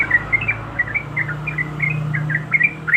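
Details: Yellow-vented bulbul female in breeding condition calling a male: scattered short chirps, a few upslurred, spaced irregularly over a noticeable low electrical hum and hiss.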